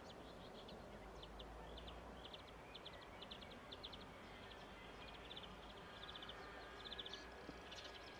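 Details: Marsh warbler singing on 25 May 2016 near Rijssen: quiet, quick bursts of high chattering trills repeated every second or so, over steady low rumbling background noise.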